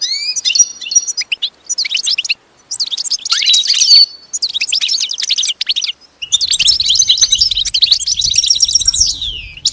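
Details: Advanced song lesson for a pet goldfinch: long bursts of rapid, tinkling high twitter and buzzy trills separated by short silences, with faint low background rumble in the final stretch.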